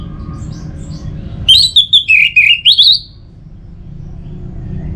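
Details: One phrase from an orange-headed thrush lure song used to prompt singing: about six rapid, wavering whistled notes dipping in pitch then climbing, followed by low background hum.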